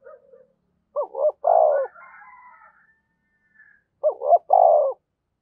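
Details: Spotted dove decoy bird giving 'gáy thúc' and 'gáy gọi' calls in the 'thổ sấm' voice style. Two cooing phrases about three seconds apart, each with two short hooked coos and then a longer, burry, low coo. The background is otherwise quiet.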